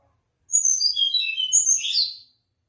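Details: One quick song phrase from a mangrove blue flycatcher, clear high whistles tumbling downward and closing with a rising, rasping flourish, roughly two seconds.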